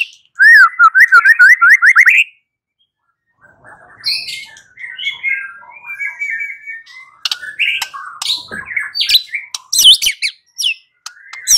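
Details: White-rumped shama song used as a lure to draw a reply: a rapid run of repeated looping whistled notes, then a varied stretch of chattering, warbled phrases and sharp high notes.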